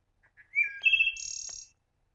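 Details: Wood thrush (Hylocichla mustelina), song.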